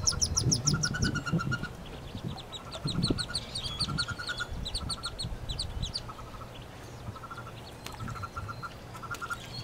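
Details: A nest box holds freshly hatched wood duck ducklings, nineteen of them plus a single hooded merganser chick, in spring 2013. Dense strings of sharp repeated peeps come from several chicks at once, over soft shuffling and bumping.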